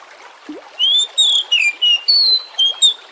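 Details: Oriental magpie-robin song used as a lure to get birds singing: a run of high, sweet whistled notes, varied and slurred up and down, about seven phrases in three seconds over steady water-like hiss.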